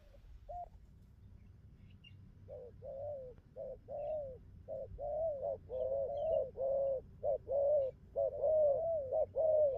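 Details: Spotted dove giving the 'bài ngoài' style of cooing, said to be steady as a machine with good coos. A lone note opens, then a long run of mellow, throaty, bubbling coos follows in quick, fairly regular succession. Low background hum.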